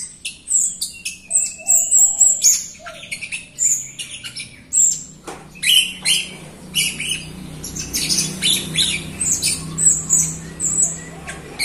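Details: A Jalak Rio myna used to coax reluctant Rio mynas into song pours out a long run of high whistles, chips and raspy buzzy phrases in rapid succession, growing denser and harsher toward the end.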